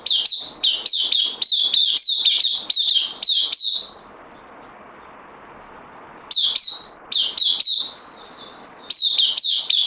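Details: Bulbul newly arrived on loan, 12 September 2020: bursts of rapid, clear chirping notes with sharp onsets, a two-second pause of near silence, then more chirps resuming in quick succession.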